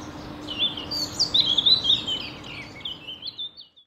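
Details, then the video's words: Common (Rufous) Nightingale singing in Ostravice, Czechia, on 27 April 2019 at 11:20, taken with a Panasonic Lumix GH5: a rich, rapid warbling phrase of high twitters and trills lasting about three seconds, over a steady low background hum. "Nightingale Song / Nachtigall Gesang"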